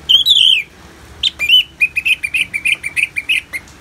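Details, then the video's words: Orange-headed thrush singing in the loud, clear ngeplong style, from a therapy recording with natural rain sounds: a long high whistled phrase, then a quick run of short, rising and falling whistled notes about five per second, over soft background hiss. "Terapi ANIS MERAH Ngeplong dan Suara Hujan ALAMI"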